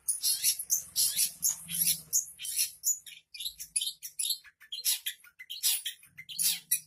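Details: Rich mimicking song of a Long-tailed Shrike copying other birds' voices: bursts of harsh, high chattering and squeaky notes, broken by short gaps, over a soft low hum.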